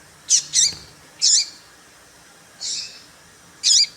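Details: Female seedeater (papa-capim) call intended to excite males: five high, sharp chirps, the first two close together, then single notes about a second apart, one softer and hoarser.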